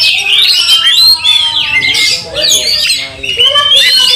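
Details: Oriental magpie-robin singing in anger, tail spread, giving harsh squawking calls interleaved with strong upslurred and downslurred whistles, a short gap around three seconds.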